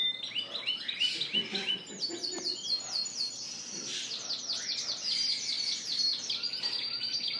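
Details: Indoor chorus of caged Spanish Timbrado and Gloster canaries at a bird shop on April 9, 2016; one bird repeats a swooping whistled phrase about eight times in a row over other rolling trills.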